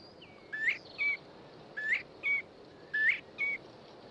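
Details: A Northern Bobwhite whistles across quiet countryside: three clear two-part whistles, a rising slurred note and then a higher steady one, repeated about every 1.2 seconds over a quiet rural hush.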